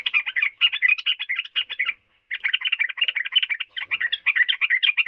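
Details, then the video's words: Yellow-vented bulbul in a continuous, bubbly, chattering warble of quick liquid notes that jump up and down in pitch, broken by one brief pause near the middle. "Burung Trucukan Kicau Mania"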